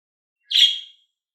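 A budgerigar gives one brief, harsh, scratchy chirp that fades out quickly.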